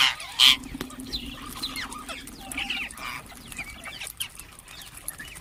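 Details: Ring-necked parakeets with a loud harsh squawk at the very start, then softer scattered chirps and twittering notes, and a low hum running through.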